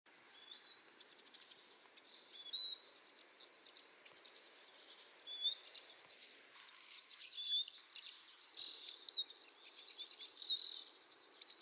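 Common redpoll giving high, dry, buzzy twitters and trills in short bursts, growing busier toward the end, over faint outdoor background noise.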